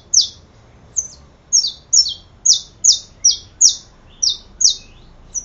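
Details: Saffron finch delivering a long string of loud, high, downward-sliding chirps, roughly two to three per second at a slightly uneven pace, with a single click partway through.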